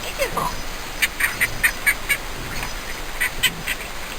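A green-cheeked conure gives a burst of short, harsh, nasal notes, about ten in three seconds at an uneven pace, against a quiet indoor hush.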